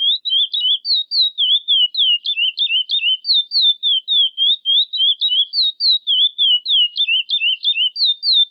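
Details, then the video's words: Chestnut-bellied seed finch (curió) singing a classic "praia" song, used for teaching young birds: a long, clear, whistled phrase of rapid slurred notes rising and falling at a quick, steady pace, no other sounds. "CURIÓ CANTO PRAIA CLÁSSICO PRÓPRIO PARA ENSINAMENTO DE FILHOTES"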